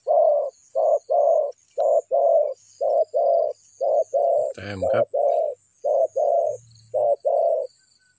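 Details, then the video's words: Spotted dove used in bird trapping to lure wild birds. It gives loud, low, hollow coos in short clusters of two or three, one longer than the rest, repeated steadily about once a second, with a brief clatter midway. "The Sound Of the dove"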